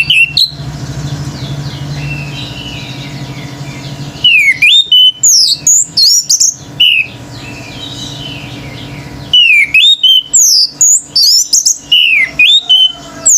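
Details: Male Orange-headed thrush singing nonstop in full voice, with other birds said to join in furiously: loud, varied whistled phrases with sharp rising and falling notes, delivered in two intense bursts separated by a quieter stretch over a low steady hum.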